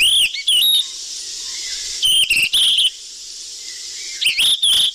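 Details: Lure call of the sikatan emas flycatcher, lively and busy: clear whistled chirps sweeping upward then dropping, in three groups spaced about two seconds apart, with a faint hiss behind.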